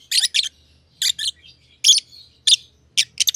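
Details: Two aviary lovebirds, green personata and pied personata, giving loud, harsh double chirps in pairs about every half second, with a faint low hum in the background.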